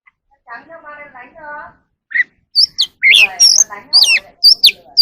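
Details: Oriental magpie-robin (Copsychus saularis) singing in the evening: a varied run of clear, high whistles, quick rising and falling sweeps in short phrases, after a low, harmonic voice-like sound at the start.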